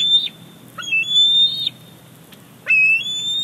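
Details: Squeeing male bald eaglet at Big Bear Lake, July 2019, demanding the fish his mother has just brought. Three high whistled cries with rising starts, separated by short pauses.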